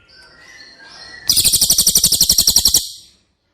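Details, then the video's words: Cililin singing, recorded as training audio for caged White-rumped shamas: faint high notes, then a fast, steady trill of piercing, shrill repeated notes lasting about one and a half seconds before fading. "Masteran CILILIN Materi Wajib untuk Burung Murai Batu anda!!"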